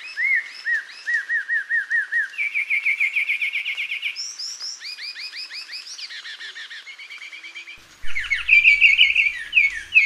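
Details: Carmiol's tanager singing a long sequence that shifts between note types: arched whistles, a quick chatter, then higher slurred notes. After a short pause comes a loud, dense burst over a low rumble.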